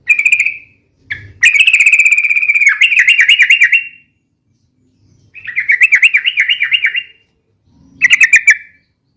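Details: Sooty-headed bulbul giving a lively, rapid and long song in the style called ropel: short whistled notes, then wavering chattering runs around mid-high pitch lasting up to two and a half seconds, separated by pauses.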